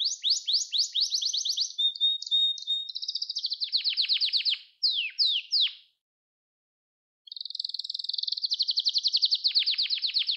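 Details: Canary training song: descending sweeping notes, a pure flat whistle, then a dense rattling trill and a few loud sweeps, a pause of over a second, and a fast high trill resuming.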